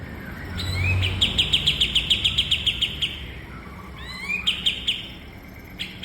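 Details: Bulbul used in cage-bird training: an upward whistled glide leads into a quick run of sharp high chirps, a pause, then another rising slur and shorter chirp burst; low rumble underneath.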